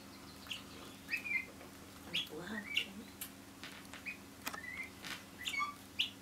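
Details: Pet guineafowl pair on a chair back in a house, scratching the furniture, give thin bright chirps and short slurred notes, mixed with sharp scratching clicks and a brief lower human voice midway.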